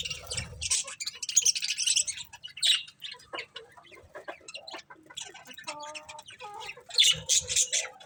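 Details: Colourful budgies chattering in harsh, buzzy bursts mixed with a few lower, steadier warbled notes and sharp high chirps.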